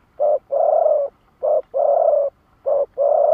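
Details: Spotted dove kept as a decoy, giving the 'lụp đờn cò' challenge call against wild birds. Low, clear coos come in pairs: a brief note, then a drawn-out steady one. Three pairs repeat about every 1.3 seconds against quiet background.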